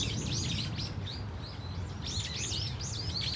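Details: Brown-eared Bulbuls in a flock at Dunsan Grand Park, Korea: looping, arched high whistled notes, a brief run at the start and a louder rising-falling series after two seconds, over low background rumble.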